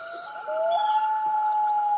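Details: Loon giving drawn-out wailing calls: sustained mid-pitched tones that slide between notes, then settle into one long steady held note, with a quiet background.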